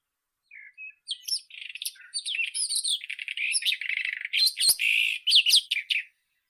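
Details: White-throated robin (Irania gutturalis) song: a rich, fast run of varied high warbled and twittering notes, some with sharp clicks near the end, quickening into dense chattering phrases before stopping.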